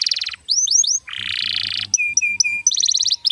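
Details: Long canary lure song meant to tutor young birds and spur quiet ones to sing: a buzzy pulsed roll, quick falling chirps, a low rattling trill, then clear repeated flat notes and a fast high trill.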